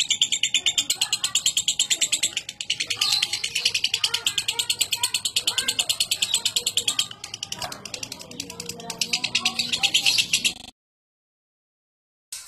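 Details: Lovebird in a long ngekek chatter: a rapid, unbroken run of high, harsh pulsed notes lasting about ten seconds, followed by a short silence and a faint low hum behind.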